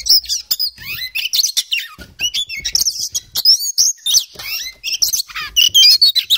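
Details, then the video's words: Oriental magpie-robin of the kacer poci type singing vigorously in ngobra style, full of mimicked fill-in phrases: rapid varied whistles, sweeping rising and falling notes and sharp chirps, closely spaced with brief gaps, loud and high-pitched. "KACER POCI GACOR, NGOBRA FULL ISIAN"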